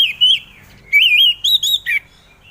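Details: Orange-headed thrush singing as a lure to get other birds to respond: wavering, warbled whistles rising and falling in pitch, a string of short melodic phrases ending on a lower dipping note.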